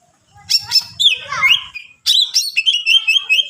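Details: Energetic greater green leafbird song aimed at goading other leafbirds: quick high chips over faint low rattling, tumbling warbles, then a sustained rapid series of piercing whistled notes.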